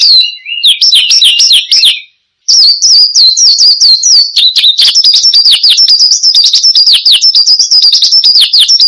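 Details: Vigorous Horsfield's bush lark song for luring and tutoring cage birds. Rapid high twittering and buzzy trills break off for a brief pause near two seconds, then resume as a steady stream of quick chirps and slurred whistles.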